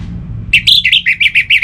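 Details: A captive orange-headed thrush (Geokichla citrina), used to prompt other birds to sing, gives a rapid run of bright, slurred whistled phrases, about six notes in one second, over faint low background rumble.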